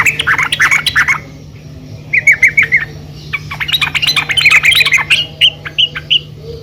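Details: Yellow-vented bulbul, a female calling the male, used to make the birds sing: harsh squawking chatter, a short series of clear chirps, then busy overlapping chattering and scattered notes, with a constant low hum beneath.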